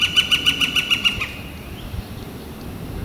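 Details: Northern flicker, April 28 2014, a warm clear day: a short burst of about eight quick, evenly spaced ringing notes that stops abruptly, leaving quiet outdoor background with low rumble.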